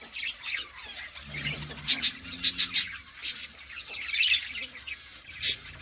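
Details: Budgerigars in a colony keep up a soft, high warbling chatter punctuated by a series of sharp, clicking chirps in quick succession, then a final loud squeak; a faint low hum runs beneath.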